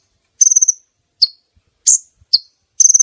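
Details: Female brown-throated sunbird call used as a lure to attract males for netting; high, sharp chirps alternate with short rapid stuttering trills, in a few spaced bursts.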